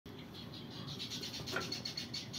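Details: Budgerigar chicks close to leaving the nest give soft, raspy chirps and chattering calls over a steady low background hum.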